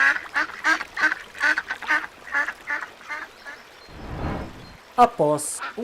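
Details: Little ducks giving a run of short, nasal quacks in quick succession, followed by a brief rushing noise and a couple of sharper, higher calls near the end.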